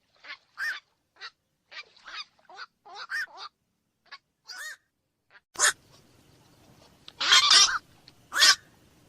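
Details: Black-crowned night heron calling at night: a run of short, harsh, nasal barks, several clustered together, followed later by louder, rougher squawks over a faint background hiss.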